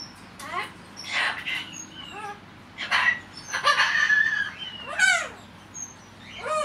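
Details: Cockatiel indoors, muttering to himself while unwatched. Rasping, speech-like phrases alternate with short whistles and a few arched squeaky notes, all in uneven bursts.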